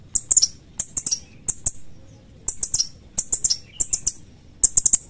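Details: Sharp 'cret cret' calls of a sooty-headed bulbul. Rapid clusters of piercing, high, clipped notes repeat nearly every second, with brief quiet gaps and light tapping clicks between bursts.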